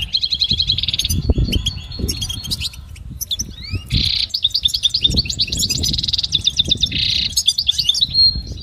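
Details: Goldfinch song used for training birds to sing: rapid high twittering phrases broken by dense buzzy trills, a brief pause near the middle, then renewed tinkling runs, over a low rumbling background.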